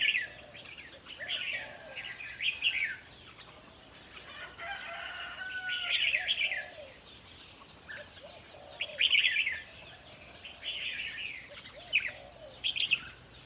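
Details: Red-whiskered bulbuls at a decoy-trapping site, a recording meant to be played to caged birds to get them excited; loud bursts of rich, warbling chatter alternate with brief lulls, while faint low cooing notes continue in the background.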